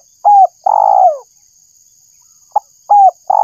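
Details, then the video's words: Spotted dove call for luring: a curved coo and a long falling coo, then a short note and the next phrase beginning, with a steady faint electronic whine. "suara burung tekukur_pemancing suara tekukur"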